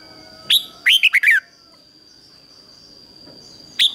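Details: Red-whiskered bulbul decoy singing 'ché' to lure wild birds: a sharp single note, then a quick run of four descending, slurred whistles, silence, and one more sharp note.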